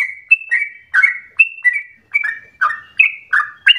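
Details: Short passage of yellow-vented bulbul lure song aimed at getting other bulbuls singing; mellow flute-like notes with chattery edges, spaced unevenly with small gaps.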